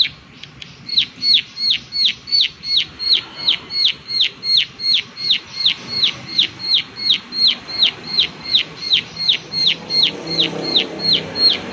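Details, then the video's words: Persistent 'klik klik' call of a prinia: loud, crisp, high notes that each drop steeply in pitch, repeated evenly almost three times a second throughout, with faint low noise beneath. "Prenjak Klik Klik Gacor"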